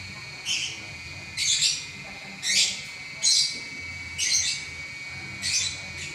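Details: Champion lovebird in continuous 'ngacor' song: harsh, high-pitched chirp bursts repeated roughly once a second in a fairly even rhythm, over a quiet steady hum.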